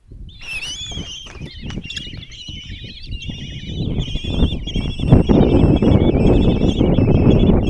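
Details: Common kestrel chicks at a nest box in Tiszalök, Hungary, begging as their mother brings breakfast and feeds five young on June 26, 2024; shrill, wavering trilled cries around 2–4k overlap continuously above heavy low rustling and scraping.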